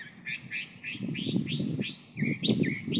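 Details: Chalk-browed mockingbird in full song: a steady string of short, clear, upslurred notes, about three per second, with a brief pause midway, set against low background rumble.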